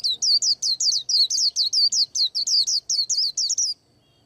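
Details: White-eye preparing to moult sings an unbroken, rapid string of about seventeen high, bright twittering chirps, each dropping in pitch, then stops.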